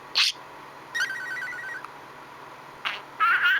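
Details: Pet male budgerigar, happy and contented, grinding his beak and chattering: sharp isolated chirps, a soft rapid train of evenly spaced ticking notes, then a brief rising whistled warble, over a faint steady hum.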